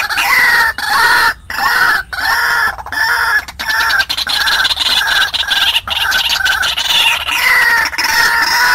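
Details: White-breasted waterhen call used as a lure for wild birds: continuous rasping, harmonic notes with occasional longer rising slurs, repeated at a fast, uneven pace with short silent gaps.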